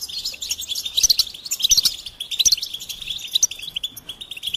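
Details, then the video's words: Goldfinch song of rapid chirps with sharp, high whistled accents recurring about once per second over a steady twittering stream. "Experience the Goldfinch Singing"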